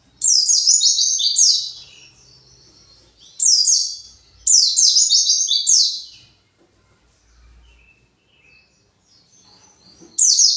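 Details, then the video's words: An agitated white-eye (pleci) searching for its flock gives rapid, high twittering bursts of sharp descending chirps, each a second or two long, separated by brief pauses. "PLECI pasti emosi"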